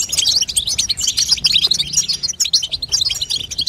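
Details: Female European goldfinch calling to get a young goldfinch singing: lively, high, glittering twitter of clipped notes and small trills, nearly continuous, with a faint low hum in the background.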